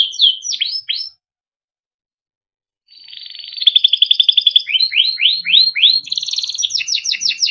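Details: Timbrado canary song for training: quick downslurred whistles, a two-second pause, then a fast trilled roll followed by repeated rising sweeps and rolling notes.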